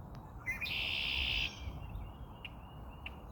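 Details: Red-winged blackbird moving about on a branch, singing a short introductory note followed by a long, harsh, buzzy trill lasting about a second, over a steady low rumble of background noise with a few faint clicks afterward.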